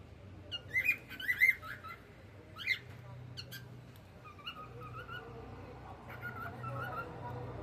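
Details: Cockatiel enjoying the evening, with a burst of sharp rising chirps early on, a lone call after a pause, then softer whistles over a steady low hum.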